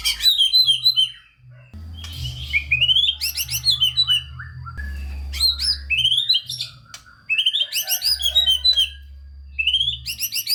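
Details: Singing white-rumped shama, a training recording meant to stir lazy shamas into song: bursts of rich whistled phrases, sharp upward-sweeping notes and scratchy chatter separated by short pauses, over a steady low electrical hum.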